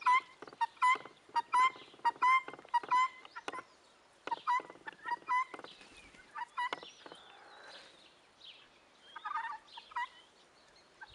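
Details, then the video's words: Young helmeted guineafowl give harsh, rasping calls in a rapid run of about a dozen, then softer, scattered squeaks and chatter from several birds. "perlicza młodzież"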